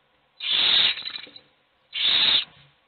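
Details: Hungry owl chicks in a nest box beg for food: a long rasping hiss that trails into a stuttering, crackly tail, then a second shorter hissed screech.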